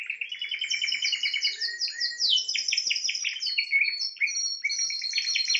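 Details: Spanish timbrado canary singing: dense rapid trills of repeated notes, layered high and mid-pitched rolls with quick sweeping changes between phrases.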